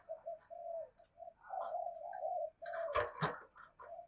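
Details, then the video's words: Lure spotted dove in 'giọng thổ' voice, thúc, gù and gáy calling: a string of low soft coos building to longer drawn notes, broken by loud clattering knocks near the end. "Chim Cu Mồi giọng thổ Bài Bản thúc + gù + gáy Gọi đủ bài"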